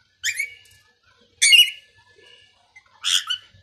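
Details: Talking parrot mimicking different voices: three separate bursts of loud, harsh, speech-like squawks with a whistled tone, spaced about a second apart, in otherwise quiet surroundings.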